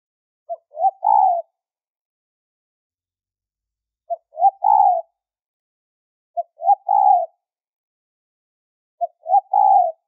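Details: Spotted dove high-pitched lure call used for trapping: a clean three-part coo, a short clipped note, a second short note, then a longer rolling coo, repeated about every two and a half seconds in near silence.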